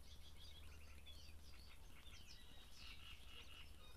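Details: Great reed warbler at Grachevka in the breeding season, a quick rattling series of harsh repeated syllables followed by scratchy, slurred notes, over a steady low-pitched hum.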